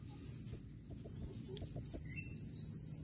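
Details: A female blue-crowned hanging parrot calling in 2021 gives a rapid series of about seven sharp, very high chirps, roughly evenly spaced, followed by a thin, trailing high tone.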